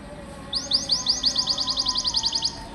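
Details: Canary masteran in 'gacor' style used to train pet canaries: a rapid high trill of about twenty clipped chirps that speeds up midway, over faint background hiss.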